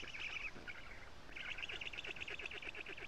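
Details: At a black stork nest in Estonia, young storks beg while a parent delivers lampreys on a June morning; quick pulsed chatter, a brief pause, then a long fast series of rhythmic notes.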